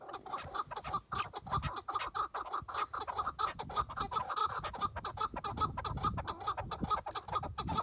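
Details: Chukar partridge, a tethered decoy bird calling before a partridge hunt; rapid, dense series of clucking notes around the same pitch, many per second, with harsher broadband bursts mixed in.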